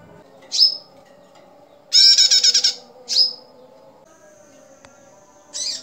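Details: Female bar-winged prinia used as a lure, giving sharp down-slurred chip notes and a burst of rapid harsh buzzy notes, then a thin steady whistle-like tone, in a quiet setting.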